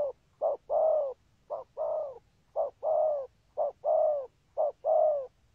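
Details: Spotted dove cooing in the Vietnamese 'có bài' style with good 'rước' lead-in and 'thúc gù' spurring coos: low hollow paired notes, a short coo followed by a longer drawn-out one, repeated about once a second.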